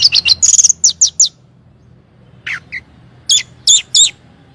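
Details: Orange-headed thrush song played as a lure to draw replies from other birds: a rapid series of high, sharp chips, then a pause, a lower slurred note and a few high whistled notes, over a faint steady low hum.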